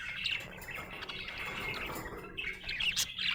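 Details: Happy budgerigar chirping in a short burst of rapid twittering warble, with sharper squeaky notes returning toward the end.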